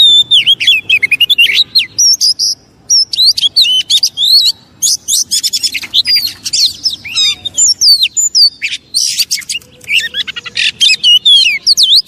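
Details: Oriental magpie-robin singing to provoke rival magpie-robins, a dense, energetic stream of high chirps, twisting whistles and rasping notes delivered in quick bursts, barely pausing throughout.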